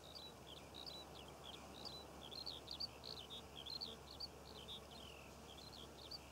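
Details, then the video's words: Skylark singing in June above poppy fields in Cornwall: lively, unbroken high warbling of chirps, trills and brief whistles, over a constant low rumble. "Skylark Bird Song and Nature Sounds - Birds Singing Over The Poppy Fields of Cornwall"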